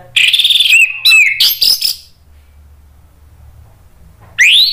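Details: Lure song of an Orange-headed thrush meant to make other thrushes respond: loud rich whistled phrase with swooping slurs and harsh fragments, a long silence, then another upward-sweeping whistle starts.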